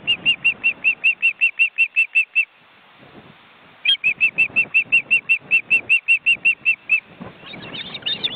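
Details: Wild ospreys with nearly grown chicks in a cramped Estonian nest: two runs of sharp repeated whistles separated by a short gap, with rustling, flapping sounds in between and toward the end.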